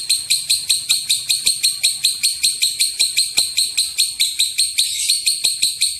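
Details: Lovebird in long ngekek style, used as a lure to provoke other lovebirds into calling: shrill, harsh chattering notes repeated about two and a half times a second, roughly fifteen in a steady unbroken run.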